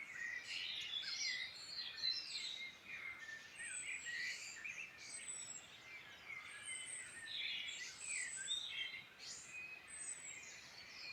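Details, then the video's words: Several birds singing together in the Irish Midlands: rapid chirps, warbled trills and sharp high notes tumbling over one another without pause, set against low steady noise. "Beautiful birdsong in Ireland Midland relaxing sounds before bed"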